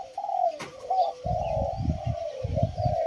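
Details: Caged Spotted Doves give a sustained run of overlapping hollow coos at a steady pitch, broken by rhythmic low bumps and knocking sounds from below.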